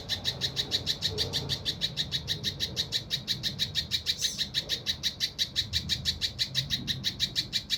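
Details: Rough, dense 'tembakan' song of a mountain leaf warbler, used to tutor competition birds: a rapid, even run of sharp, high chipping notes repeated about three times a second without pause.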